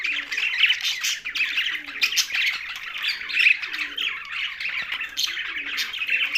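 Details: Pet budgerigars kept together with a parrot; dense, continuous chatter of overlapping buzzy chirps and squawky warbles, several birds calling at once without pause.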